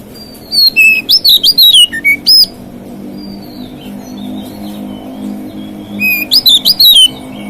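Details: White-rumped shama singing to provoke other shamas: two loud bursts of rich whistled notes, sliding and warbling, with a low steady hum beneath and quiet pauses between bursts.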